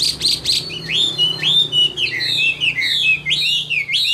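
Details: Chinese hwamei, an old wild-caught bird praised for its voice, giving a rich run of clear whistled notes, rising and falling slurs repeated in quick succession, opening with a few sharp chips.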